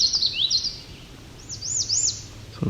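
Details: An American Redstart sings one variant of its song, a quick series of thin, very high slurred notes swooping down and up, with a soft low thump near the end; forest trail near Cape Chin North, Ontario, 17 July 2019.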